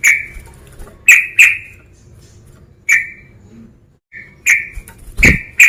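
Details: Male sooty-headed bulbul calling a rival to provoke it: loud, short, harsh chirping notes, mostly single and doubled, spaced irregularly over several seconds, with a faint low background hum.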